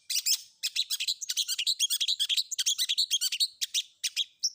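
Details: Long-tailed shrike combination filler song: a nonstop stream of harsh, scratchy chattering notes in rapid succession, closing with a short whistled note.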